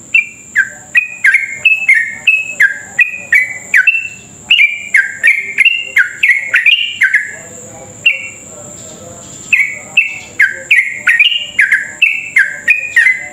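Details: Sooty-headed bulbul in long, rapid continuous song, used as a lure to get other bulbuls singing quickly: dense stream of bright chirpy whistles stepping down in pitch, about three per second, briefly pausing midway, over a constant high whine.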